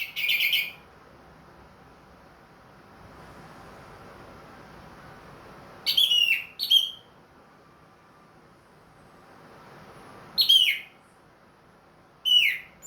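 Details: Orange-headed thrush in captivity, ringed, singing again after moult: brief loud whistled phrases of a few twisting notes, separated by long silences of several seconds, with quiet surroundings.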